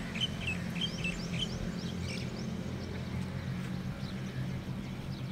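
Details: Sparrow giving quick, bright chirps in a loose series during the first couple of seconds, then fainter scattered notes, over a constant low rumble of background noise.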